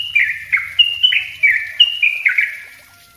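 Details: Master lure recording of yellow-vented bulbul: bright whistled notes with downward slides, about four per second, fading out near the end, with faint low rumbling beneath.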